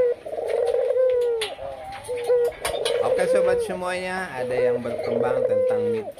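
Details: A breeding pair of Barbary doves, one white and one red, at a bird farm in Kuningan, gives low, drawn-out coos, a phrase roughly every two seconds, with a man talking over them.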